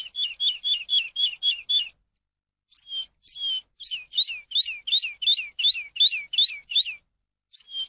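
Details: Eurasian skylark song used to teach captive birds. A quick run of short, repeated high notes gives way after a pause to evenly spaced, sweeping downslurred whistles, roughly three per second. Background is silent.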